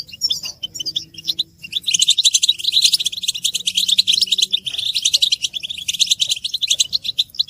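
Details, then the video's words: European goldfinch twittering, a group stimulation recording of mating and readiness calls meant to make males sing; dense high tinkling chirps and buzzy trills run almost nonstop, with many birds overlapping. "بتبتة حسون الشوك تحفيز الحسون على التغريد والهيجان علاج صمت الحسون goldfinch stimulation"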